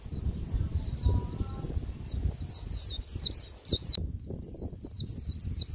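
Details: End-of-season Japanese white-eye singing a bland líu song: softer high warbling at first, then sharp downslurred whistles in quick succession after a brief pause, over low background noise.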